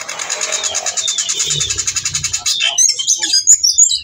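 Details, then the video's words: Whistling thrush singing while in breeding condition and calling a female, used to train other birds: a dense, fast, harsh buzzing rattle for over two seconds with a faint low hum, then sharp high chips and whistles. "burung CIUNG BATU GACOR teler bongkar isian"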